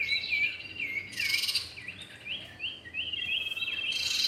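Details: Male and female common iora: short upswept and down-slurred whistles strung in quick series, separated by two sharp hissing chatter bursts, over a faint steady high tone.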